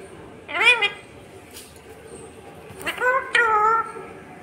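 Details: A pet parrot talks, reportedly saying "mummy" and "papa": one arched, speech-like syllable, then after a pause two more voice-like notes with bright harmonics, in a quiet room.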